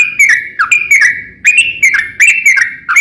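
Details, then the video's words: Trucukan (yellow-vented bulbul) lure song: loud clear whistled notes slurring down and up, delivered in quick bursts of two or three, bright and ringing, recorded to prompt other bulbuls to sing. "KICAU SUARA trucukan gacor ropel panjang pancingan trucukan agar bunyi"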